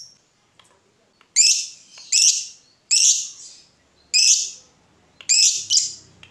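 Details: Lovebird uttering loud harsh screechy notes in pairs, spaced about a second apart, from a recording aimed at stirring other lovebirds to sing.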